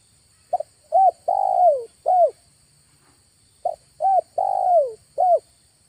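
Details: Spotted dove lure call recorded in August near a neighbouring village during an afternoon trapping outing: two full cooing phrases, each a short note, a hooked coo, a long falling drawn-out coo, then a final hooked coo, with a pause between.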